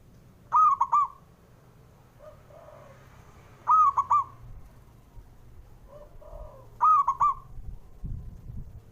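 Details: A male zebra dove calls to encourage slow-singing birds: three rolling, stuttered coo phrases spaced about three seconds apart, softer lower coos in between, and a brief rustle near the end.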